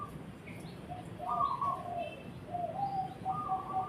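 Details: Cooing zebra dove, a run of smooth level notes stepping between a higher and a lower pitch, with faint chirps of other small birds above and a low background hum.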